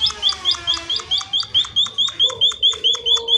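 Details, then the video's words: Pipit, or munia, chirping briskly to make other munias answer: loud, crisp high notes repeated steadily, a little more than two per second, over a soft background hum. "Suara burung Emprit Pipit gacor untuk pancingan agar emprit lain cepat bunyi sahut sahutan"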